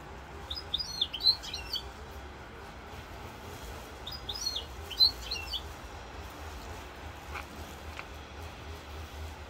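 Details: Corsican European goldfinch, 7 November 2022, delivering two rapid phrases of liquid, high-pitched twittering about four seconds apart, then a couple of faint clicks, against a low background hum.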